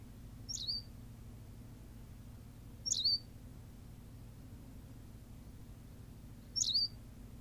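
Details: High, thin calls from a Berthelot's pipit on La Gomera, Canary Islands: three brief sharp notes spaced roughly two and a half to four seconds apart against faint low background hum.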